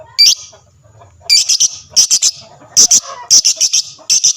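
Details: Lovebird sound used to make other lovebirds reply: loud, piercing high chirps in clusters of two to four, separated by short pauses, with faint low background rumble.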